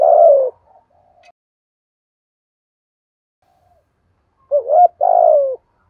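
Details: Decoy spotted dove with a 'thổ' voice cooing to train a new bird. It opens on the tail of a falling coo, then a few soft low notes and a long quiet gap, then a full phrase: wavering rising note, long descending coo.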